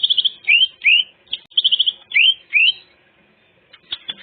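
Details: Greater green leafbird delivering rich varied song for coaching untrained birds: fast high trills alternate with upward-sweeping slurred whistles, about two per second, fading to soft clicks at the end.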